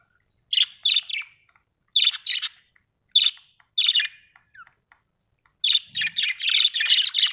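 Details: Budgerigar chirping: bursts of bright, squawky chirps and warbles in short clusters separated by brief pauses, ending in a denser run of chattering notes; quiet indoor background.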